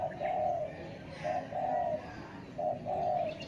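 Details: Spotted dove cooing in soft, low, hollow notes: three phrases, each a short coo followed by a longer drawn-out one, with faint chirps of other small birds in the background.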